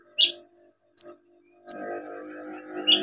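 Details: Olive-backed sunbird calling to stimulate birds that have stopped singing: four sharp, high chirps spaced nearly a second apart, with a low humming background.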